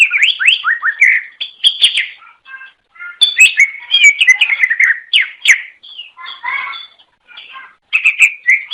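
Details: Greater green leafbird (cucak ijo), a songbird native to Indonesia, found in Java, Sumatra and Kalimantan, singing to lure others of its kind: rapid, varied whistled and chattering phrases that rise and fall, broken by short pauses, with no other sounds.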